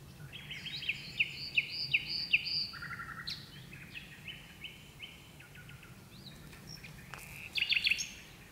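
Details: At twilight a common nightingale sings from birch bushes, one of two birds present. Sharp repeated whistled notes, then buzzy phrases, a pause, and a fast stuttering burst near the end.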